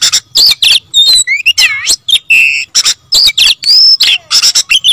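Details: Oriental magpie-robin in insistent gacor song: varied whistled phrases, swooping slurs, buzzy chatter and a long clear whistle near the end.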